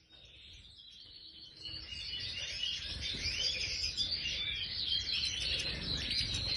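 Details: Major goldfinch in an aviary: a song that starts quietly and builds into a dense, liquid twitter of rapid high notes, with buzzy trills carrying through to the end.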